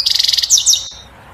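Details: European goldfinch in bitbita song, said to excite the female into mating and nest building; a rapid pulsing high trill followed by two sharp downslurred twittering notes, then quiet.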